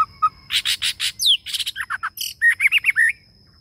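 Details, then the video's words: Male white-rumped shama kept as a decoy bird, singing a long-drawn song: short low whistles, then bursts of harsh buzzy notes, a falling slur, and a run of bright looping whistled phrases, over a steady faint high whine. "Chích Chòe Lửa Mồi Hót kéo Giọng Dài Cực Hay"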